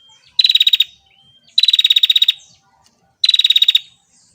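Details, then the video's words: Female bar-winged prinia delivering three rattling bursts of about a dozen fast, sharp pulses each, spaced about a second and a half apart, with quiet pauses between them. "Suara Prenjak Tamu Betina"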